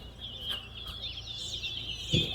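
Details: Large-billed seed finch (towa towa) singing at a bird singing competition at Lusignan bird ground, two birds competing; a continuous warbled, twittering high song with quick rising and falling notes, a low thump near the end.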